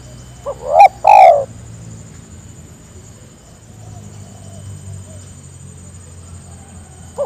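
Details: Spotted dove calling to its companions so they join in: a single clipped lead note, then two loud mellow coos close together, with quiet hum between and a faint note starting at the very end.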